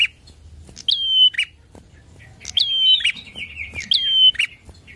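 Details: Energetic bar-winged prinia singing to provoke rivals, mixing sliding whistled phrases with a warbling run of buzzy notes, roughly three phrases across a few seconds over faint low background rumble.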